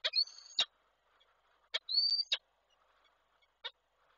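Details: Male peregrine falcon calling to the female at a nest-camera site in Koszalin, Poland, 23 December 2023. High, drawn-out whistled notes, each bracketed by sharp clicks, with a lone click near the end in otherwise quiet surroundings.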